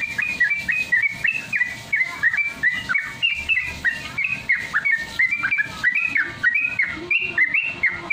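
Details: Sooty-headed Bulbul song meant for training caged birds to sing: a busy stream of short whistled notes, some rising and some dipping, repeated rapidly over a low rhythmic thumping.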